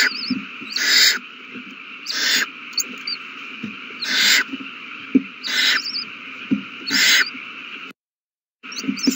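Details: Owl chicks being fed, March 27, 2020: harsh, rasping hissed screeches about half a second long repeat roughly every one to one and a half seconds, interspersed with faint high twitters and soft knocks, before a brief dropout.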